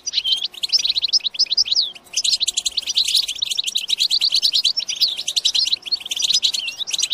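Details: Goldfinch song meant to excite goldfinches into singing and mating: a short run of liquid twittered notes, a brief pause near two seconds, then a continuous fast stream of high chirps and rattling trills.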